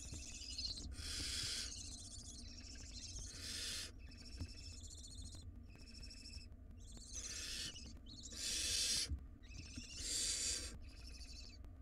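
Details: Wild barn owl nestlings in a nest box, tugging at a very large rodent. Harsh, breathy hissing screeches come in about six long noisy bursts, some overlapping, over a low steady background rumble.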